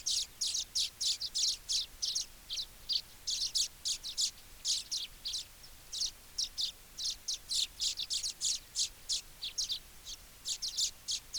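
Baya weaver chattering in a steady run of short, high, dry buzzy notes, about three a second, with no other clear sounds.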